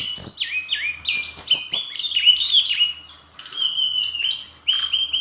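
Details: A brown-chested jungle flycatcher, Bali type, sings energetically with borrowed phrases. Quick, high whistled notes swoop up and down, followed by a steadier sustained whistle and rapid chips near the end.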